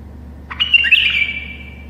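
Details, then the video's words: Tame bulbul singing indoors, a song meant to prompt silent bulbuls to sing: one short phrase of a few quick rising notes, then a bright, slightly harsh slurred whistle falling gently away, with faint low room hum. "تغريد بلبل أليف يساعد البلابل القافلة على التغريد"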